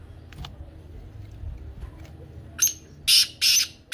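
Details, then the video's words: Black francolin (kala teetar) call, played to rouse a pet francolin into calling: after quiet low rumble, loud harsh rasping notes begin late, a short note then two long grating bursts and the start of another. "کالا تیتر کی بولتی آواز سن کر تیتر مست ہو جائے"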